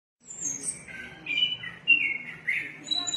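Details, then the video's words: Orange-headed thrush singing actively: a varied run of high whistled and slurred phrases, some dropping, some sweeping up to very shrill notes, delivered in quick bursts with brief gaps and no other clear sounds. "burung Anis kembang gacor"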